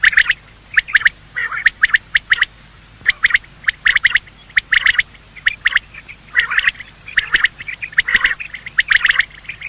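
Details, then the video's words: Morning calling of male and female quail, recorded for hunting: grating, squawky chirps in tight groups of two to four, pausing briefly between groups, with low background hum. "Quail calling sound"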